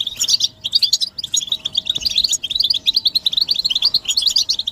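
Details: Group chattering of European goldfinches, mating and readiness calls used to stimulate males to sing: dense high twittering and tinkling notes, many birds overlapping almost continuously with brief pauses near one and two seconds.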